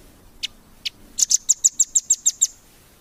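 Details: Velvet-fronted nuthatch, recorded as tutoring material for contest birds: two isolated high chips, then an even series of about ten sharp, high-pitched notes that fades away.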